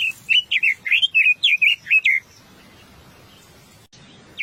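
A Chestnut-vented Nuthatch gives a quick run of about ten high, clear, slurred notes over two seconds, then falls quiet against faint background hiss.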